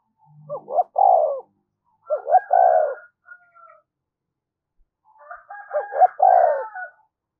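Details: Spotted dove lure call used to attract wild doves, three phrases a few seconds apart, each made of quick paired coos and a long burry coo, with soft extra notes between phrases and a fainter overlapping voice on the last.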